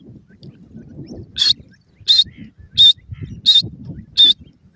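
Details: Female grey francolin (teetar) calling while teaching her young: five loud, clear, high whistled notes, evenly repeated about every 0.7 seconds, over soft low rumbling and rustling background noise.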